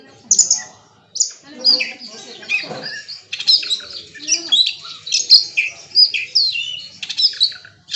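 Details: Oriental magpie-robin (kacer) performing bongkar isian, its full set of learned song material: bright whistled and chattering phrases in rapid varied bursts, separated by short pauses, with some other birds audible in the background.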